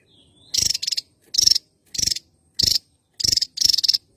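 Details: Javan tesia, an endemic bird of Java, singing actively: six loud, buzzy, high bursts, several split into quick double rattles, with short silent gaps.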